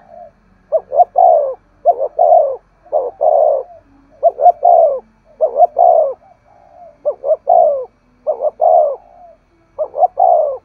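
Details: Spotted dove in 'thúc gù' urging coo, a style played to excite wild doves. Steady run of about eight phrases, each a short double hoot followed by a drawn-out, downward-sliding coo, on a quiet background.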